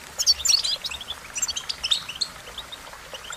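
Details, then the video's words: Goldfinch song: high, quick chirps and twitters, loudest at the start, then trailing into softer scattered notes. "Goldfinch Melodies: A Collection of the Most Beautiful Songs"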